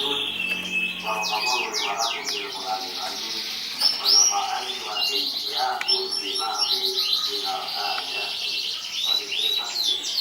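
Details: Canary champion of a 2014 competition singing varied phrases: quick downslurred whistles in bursts, rapid high trills and lower chattering notes, the song flowing without long breaks.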